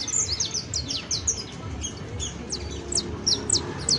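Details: Canary recorded at the end of 2022 producing quick bursts of high, downward-sweeping chirps, clustered at the start and end, over a noisy low hum.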